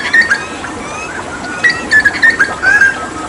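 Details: Hooded butcherbird, endemic to Papua and a skilled mimic, singing energetically during water therapy: short clear whistled notes near mid pitch, some sliding, delivered in quick irregular bursts over a steady hiss.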